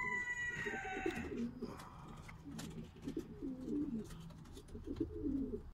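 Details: Black qatayef tumbler pigeons, likely several, giving low, throaty, rolling coos that run almost without a break. Short bursts follow each other several times a second. Faint steady whistled tones are heard near the start, with some indoor background noise.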